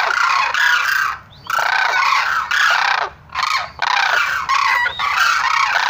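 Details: Harsh, trumpeting Sarus crane calls delivered in several loud bursts with brief quiet gaps, and overlapping voices throughout.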